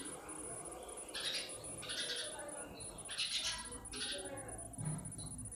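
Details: Sparrows calling naturally: short, bright chirps in bursts, about one every second, separated by brief pauses, over a steady low background murmur and a faint continuous high hiss.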